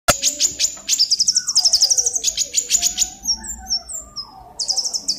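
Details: Scarlet-headed flowerpecker (Dicaeum trochileum) singing vigorously, with rapid runs of very high, thin ticking chirps in quick bursts and faint lower sliding whistles underneath; a song used as a lure to attract birds.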